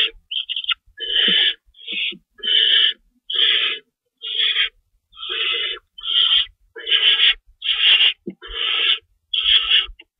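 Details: Nest owls at feeding time before dawn, 25 March 2012, with two rabbits in store: a long series of raspy, hissing screeches, roughly one per second and fairly steady, with faint knocks underneath.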